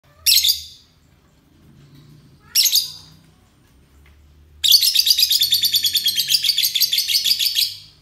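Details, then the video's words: Euwing lovebird singing in the ngekek style, kept as a master bird for other birds to learn from: two short harsh chirp bursts, then a long fast run of buzzy, rasping chattering notes that continues to the end. "Lovebird euwing ngekek"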